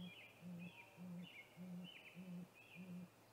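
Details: A male great grey owl at a snag-tree nest, 8:45 pm on 21 April 2019, gives six deep, soft, even hoots about every half second before a nest visit, with thin chirps from other birds high above.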